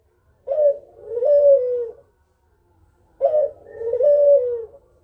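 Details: Kugeruk coos meant to draw answering birds: two deep, hoarse phrases, each a brief rough note and a longer falling coo, separated by a short silence.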